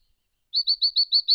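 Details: Brown Treecreeper at a pond in regional Victoria, Australia, wild bird caught on a camera trap while drinking and bathing: a fast run of six high, even chirps.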